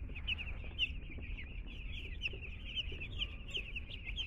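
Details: A group of newly arrived two-day-old chicks at a home, sharp high-pitched cheeps tumbling over one another, some louder single peeps standing out from the constant chatter, faint low hum behind.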